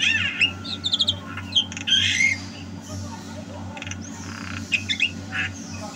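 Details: Loud harsh squawks and grating chatter from a Javan myna singing actively in 2022, delivered in irregular bursts with short pauses between, a steady low mains hum in the background.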